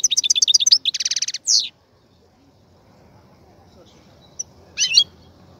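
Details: Caged European goldfinch, kept in a cage being readied for breeding, opens with a fast run of bright twittering notes and a short buzzy trill, then falls quiet before a brief closing burst of chirps.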